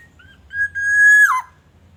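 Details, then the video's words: Black-naped oriole song used as a lure to get other orioles calling, from Aceh: a clear fluted whistle held level for about three quarters of a second, then sliding sharply downward, preceded by two short soft notes. "Kicauan kepodang emas pikat, Super gacor"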